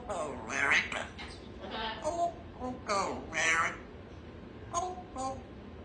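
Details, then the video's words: Female Congo African grey parrot living as a household pet, morning word practice; rapid, voice-like mimicked phrases in several bursts, some nasal and harmonic, in a quiet room. "Just practicing my words this morning, can you hear my Merry Christmas?"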